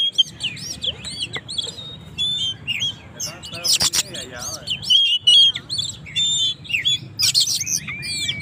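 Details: Song of an Oriental magpie-robin (Kacer) used to goad rival birds: a rich, varied medley of sweet whistles, rapid chirps and twittering trills, broken twice by loud harsh rasping bursts, over a constant low background hum.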